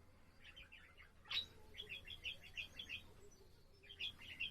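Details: Indoor pet budgerigar song from 7 April: runs of fast, bubbly chirps broken by one loud, sharp squeak, then renewed twittering phrases and a final burst of chatter over low hum.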